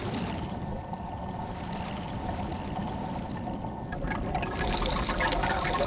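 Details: Steady pouring and trickling water with a low rumble, growing a little louder near the end, and no animal voice.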